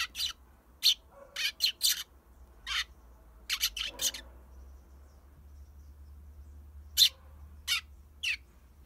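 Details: Eurasian tree sparrow kept as a pet, placed by the front entrance for sunbathing as a dog barks nearby, gives scattered sharp, noisy chirps, sometimes doubled, separated by short quiet gaps.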